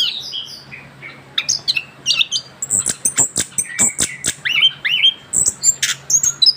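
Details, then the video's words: Young caged orange-headed thrush after its moult, delivering a rapid run of high whistles, rising and falling slurred notes and clicks that grows denser toward the end, over a faint electrical hum. "kicauan anis kembang muda ngerol pasca ganti bulu"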